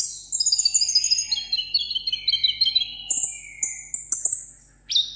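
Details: Tabletop sunbird from Vietnam singing solo in a contest: a cascade of quick chipping notes stepping downward in pitch, followed by a few high, thin, drawn-out whistles.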